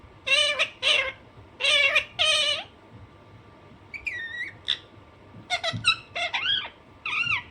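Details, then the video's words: Alexandrine parakeet kept as a pet, called naughty, uttering four long grating screeches in two pairs, then thinner whistled chirps and a quick jumble of squawks, against a constant low hum. "Alexanderine naughty parrot/parrot natural sound"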